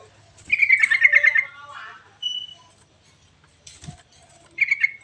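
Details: Sooty-headed bulbul song used to prompt lazy birds into singing: a rapid bubbling chatter of repeated bright notes, a brief whistled note, a click, then another short bubbling phrase at the end.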